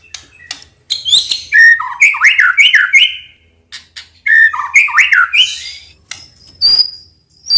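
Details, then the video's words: White-rumped shama singing energetically, a recording used to spur other birds to answer, with rich looping whistles that rise and fall, repeated in two similar phrases, followed by thin high notes and scattered clicks; faint low hum underneath. "Pancingan Murai Batu Gacor FULL isian Sekali dengar langsung Nyaut"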